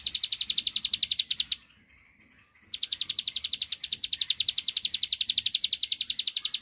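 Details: Bar-winged prinia, locally ciblek sawah, singing to goad a rival into answering: high, rattling ticks in quick succession, a one-second pause, then a longer unbroken series of the same dry clicks.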